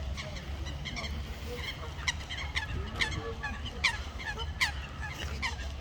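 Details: Common moorhen family with chicks in water: short, harsh, clipped calls, several overlapping and repeated about every half second, over a steady low rumble.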